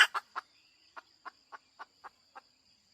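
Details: Hen giving a series of short clucks. They start loud and close together, then come softer and evenly spaced about every quarter second. A faint steady high-pitched hum runs underneath.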